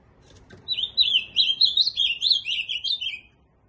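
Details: Rich warbling song of an ultramarine grosbeak: a continuous run of slurred, looping notes lasting about two and a half seconds, drifting gradually downward.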